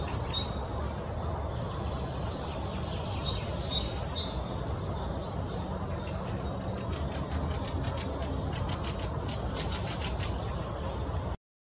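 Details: Continuous European robin song of varied, very high notes: thin whistles, quick tinkling trills and brief rattled bursts following one another closely, with steady low-pitched background noise throughout.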